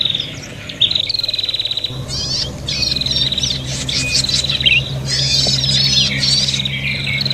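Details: Prinias in a noisy fighting exchange, used for luring birds: a quieter opening, then rapid high chips and buzzy rattling trills crowd together, layered over a low hum.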